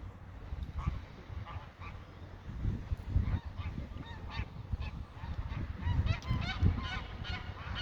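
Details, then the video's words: Several greylag geese calling, loose nasal honks building into a denser overlapping chorus toward the end, with a deep rumbling background throughout. "Graugänse, Greylag geese"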